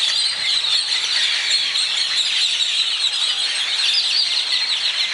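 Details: Morning birdsong at dawn in Zapotitlan de Mendez, Puebla: a crowded chorus of shrill overlapping chirps and trills, constant in loudness, with occasional clearer rising whistles poking through the mass of voices.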